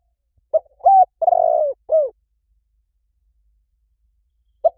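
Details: Spotted dove calling, a recording used to lure doves. One complete four-note cooing phrase, its long middle note burry and trembling, followed by a silent pause of over two seconds and the first short coo of the next phrase.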